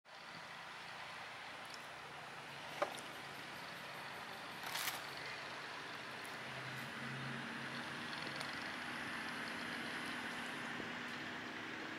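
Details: Steady traffic rumble with a brief air-brake hiss and a sharp knock, and no clear animal calls.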